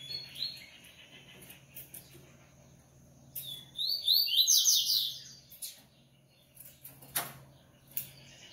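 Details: Caged Coleiro singing a rapid run of bright, high sweeping notes after scattered short chirps, with a low steady hum and occasional clicks in the background.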